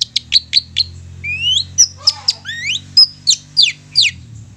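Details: Long-tailed shrike song used as a lure to make other birds sing: sharp high chips alternating with rising and falling whistled slurs, busy and varied, with a low steady hum beneath.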